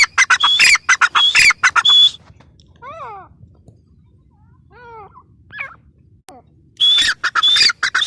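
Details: Teetar, the grey francolin, gives bursts of harsh scratchy notes with a high whistled streak. A quiet gap between bursts holds faint, wavering, descending calls before the loud calling resumes.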